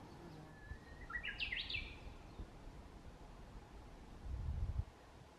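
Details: Wild Japanese bush warbler in satoyama woodland on the southern foothills of Mount Nangu, 30 April 2022, filmed on a walk home: a held whistled note, then a rapid looping flourish, over steady outdoor hum and a brief low rumble.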